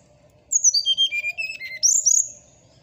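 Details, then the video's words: Morning song of a bird kept by bird hobbyists, played as a lure and tutor for silent cage birds: a quick cascade of clear whistled notes sliding from very high to mid pitch, then a high rising flourish, over a faint low hum. "suara srdc di pagi hari"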